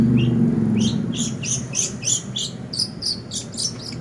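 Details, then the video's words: Long-tailed shrike (cendet) singing for lure training: a steady series of short, high, buzzy chirps, roughly three per second, with a constant low hum underneath. "Pancingan Burung Cendet Pastol"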